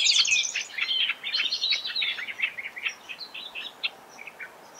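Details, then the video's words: Several Australian Reed Warblers at Laratinga Wetlands, South Australia, on 9 January 2021, giving a fast, varied run of chattering and whistled notes, about four a second, loud at first then fading to scattered phrases. A Superb Fairywren also chips. "Australian Reed Warbler"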